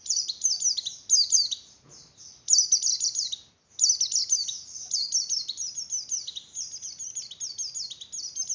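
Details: Javan grey-throated white-eye song aimed at stimulating breeding condition in other white-eyes; high, fast twittering phrases, a short gap near the middle, then a long steady run of rapid downslurred chirps.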